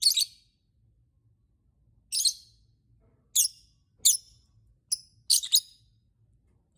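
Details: Lovebird calling to set off other lovebirds' singing: scattered, sharp, high, rasping chirps at uneven intervals, with a quick cluster of three near the end.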